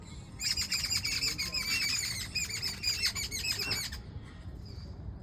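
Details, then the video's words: Birds calling in the morning, with a thick burst of rapid, high twittering chirps that stops abruptly near the end, leaving quiet background hum and a faint distant call. "sound of birds in the morning"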